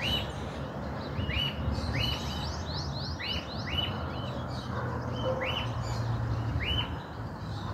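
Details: Cockatiel found free on a house rooftop in a region where the species is not normally seen, probably an escaped pet, giving short, arched chirping whistles in quick bursts over a steady low rumble.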